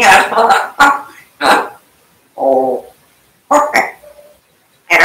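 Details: Talking African grey parrot kept indoors: a quick series of short clipped speech-like syllables, a steady humming vowel in the middle, then more brief voice-like notes.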